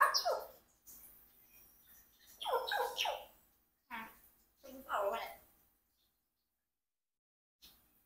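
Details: A 4-year-old pet Congo African grey parrot practising words like fish and goat, talking in short, word-like bursts, four phrases with brief pauses between, mixed with a person speaking nearby.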